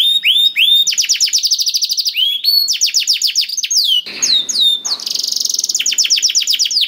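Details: Canary singing, played to coax a reluctant canary into song: fast rolling trills of repeated sweeping notes in successive tours, interrupted midway by a short rasping buzzy phrase before the trills resume.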